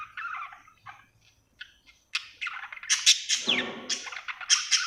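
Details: Happy budgerigar chirping: sparse soft warbles at first, then from about two seconds a denser run of scratchy, buzzy chatter with sharp high clicks, in a quiet setting.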